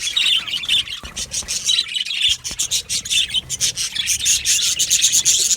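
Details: Australian budgerigars, a colony of budgie parakeets in an aviary, chirp constantly in dense overlapping bursts of high, bright twittering notes, with quick chattering runs and sharp tweets throughout.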